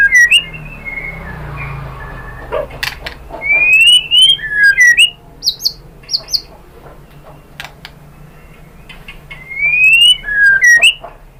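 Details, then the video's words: White-rumped shama song in separate bursts: clear, rising and falling whistled phrases and sharp chips, with quiet pauses of several seconds between them and a faint low hum beneath. "KICAUAN MURAI BATU"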